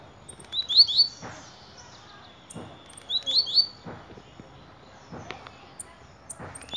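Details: Blue-black grassquit (tiziu) singing: short buzzy high phrases with sharp upslurred notes, repeated roughly every two and a half seconds, with faint clicks and low background noise between bursts.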